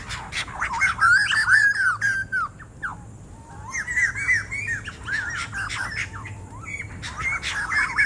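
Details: White-crested laughingthrush, described as noisy: loud bursts of squawking, warbled calls with wavering notes, several voices overlapping in a busy chattering chorus, a quieter gap midway.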